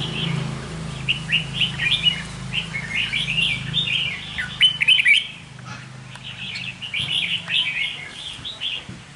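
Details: Red-whiskered bulbul kept in a cage as a lure bird, singing rapid, lively runs of clear chirps and twittering phrases, with a short pause midway, over a steady low hum.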